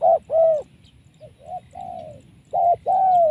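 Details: Wild spotted dove, trapped, with a very strong voice: two loud coos, a short one then a longer falling one, followed by softer broken fragments and a level coo, then another loud short-long pair.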